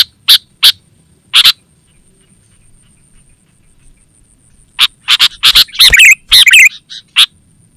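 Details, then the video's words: Sooty-headed bulbul lure and training call: three harsh clipped notes, a long pause of several seconds, then a dense burst of chattering notes and bubbly warbles, over a faint steady high-pitched hum. "Suara Burung KUTILANG GACOR Terbaik Untuk Panggilan dan Masteran"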